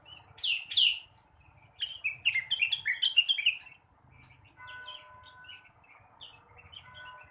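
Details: A blue-winged leafbird sings in the morning to stimulate other birds, giving strong, quick slurred whistles and chirps in a rapid two-second run, followed by softer notes and level sustained tones.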